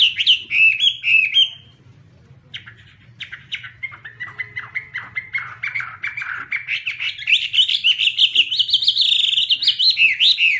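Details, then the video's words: Chinese hwamei singing with wing-waving, rich loud whistled phrases, a brief pause, then a long rising series of fast repeated warbled notes. "Birds Garrulax canorus:Birds Waving wings and singing, The sound of birds singing wonderful"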